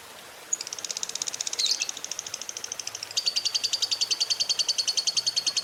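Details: Lovebird used as a morning trigger sound to get other lovebirds rolling and chattering; after half a second of quiet, a fast, high, pulsed chatter begins, wavers, then steadies into a louder, brisk trill.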